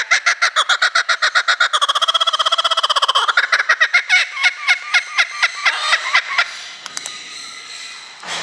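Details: Laughing kookaburras at a bird park in Kakegawa, Japan, triggered by a loudspeaker closing announcement, ear-splittingly loud up close; fast rattling chuckles accelerating into a dense trill, then slower spaced cackles fading out toward the end.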